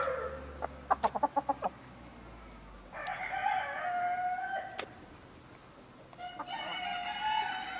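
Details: Partridge Araucana chickens, a domestic breed from Chile. Six or seven quick, sharp taps come first, then two crows: one of almost two seconds and a second that starts about three seconds later and runs to the end.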